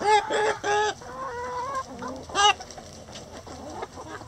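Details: Two strong harmonic squawks from chickens in a coop open the clip, then a string of lower drawn-out clucks, another sharp squawk, and quieter scattered clucking afterward.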